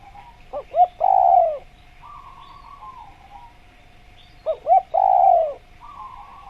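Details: Spotted dove calling: two short rising notes, then a longer mellow falling coo, given twice about four seconds apart, over a steady background hum with faint trilling of another bird between phrases.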